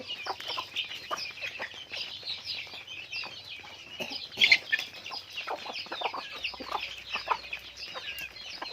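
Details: A flock of farm chickens gives dense high peeps and short clucks, with a sharper, louder burst of calls midway.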